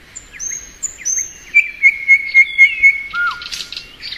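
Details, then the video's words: Thrush nightingale singing in spring: a few long high whistles, then one clear note repeated quickly six times, closing with a dropping whistle and soft rasping. "Nightingale Song.(Luscinia)."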